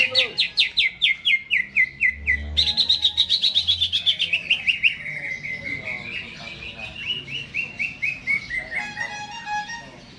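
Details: Caged greater green leafbird in full song before being hung up, rapid strings of bright repeated notes about four per second, first descending, then a rising-and-falling whistled series, ending in a softer lower trill.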